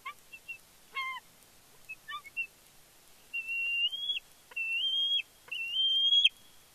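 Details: Fledgling bald eaglet at Big Bear, 31 May 2022, squeeing as the parent flies in with fish. A few short chirped notes lead into three long, high, slightly rising whistled squeals.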